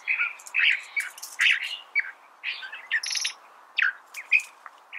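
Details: California thrasher singing a varied run of short phrases, some harsh and burry, some clearer and chirped, with mid and high notes mixed, over a steady low background hiss.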